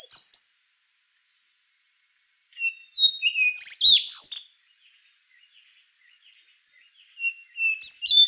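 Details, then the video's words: Song of the rufous-brown solitaire: thin whistled notes followed by a dense burst of ringing, metallic, rapidly descending and rising notes, then a quieter pause and another phrase beginning with level whistles; otherwise quiet. "Canto do Sabiá Castanho | Rufous-brown Solitaire"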